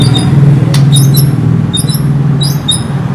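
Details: White-rumped shama giving quick, thin, high-pitched chirps grouped in brisk bursts, repeated several times over a constant heavy low rumble resembling motor noise.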